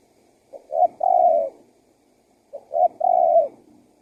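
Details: Two phrases from a spotted dove used as a decoy for wild doves: quick soft notes leading into a long, slightly falling coo, about two seconds apart.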